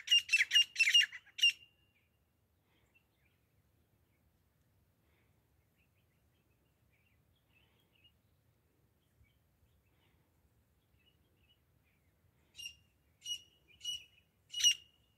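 Grey francolin giving loud, harsh, ringing notes. A quick run of about six opens the clip and four more come near the end, with near silence between.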